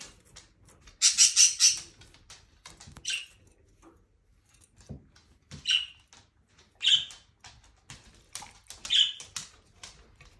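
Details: A female pet budgerigar, apparently happy while bathing in her cage, gives short, high chirps and scratchy squawks in brief bursts, with water splashing and pattering.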